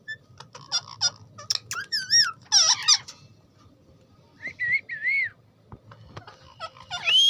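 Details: Talking rose-ringed parakeet at home giving short whistled arching notes and squeaky chatter, with quieter gaps between bursts and a rising whistle at the end.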